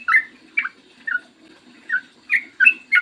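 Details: Yellow-vented bulbul song used to make other bulbuls sing; scattered short liquid whistles with gaps, ending in a quick burst of three notes, low hum in the background.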